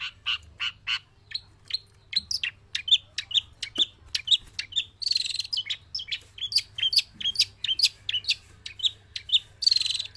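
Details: Long-tailed shrike from Java, trained and kept in a cage but singing without pause even when released: a rapid run of sharp, dry chattering notes, about two per second, with several harsher buzzy bursts mixed in.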